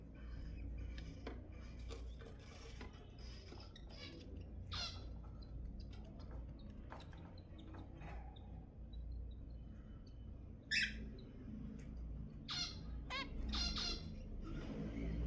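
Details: Zebra finch sounds for prompting mating: sparse, brief nasal beeps and buzzy notes at irregular intervals, with a steady low rumble underneath.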